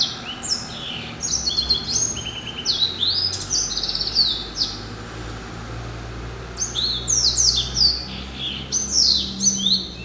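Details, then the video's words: Pet finch crossed from a yellow-eyed canary and a timbrado, hatched in November 2012, sings bursts of fast high trills and bright rolling notes, with a short lull midway before another run. "Hybrid Finch ...Yelloweye & Timbrado"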